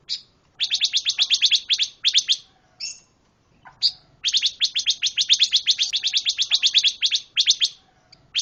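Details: Pancawarna bird in full, active song: long runs of sharp, bright chipping notes, about four per second, broken by short pauses and a few isolated notes, in a quiet setting.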